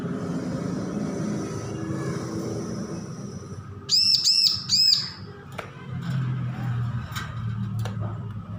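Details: Newly weaned bar-winged prinia learning its song, with a single tight burst of three high arched notes, followed by a few faint clicks and a low background rumble.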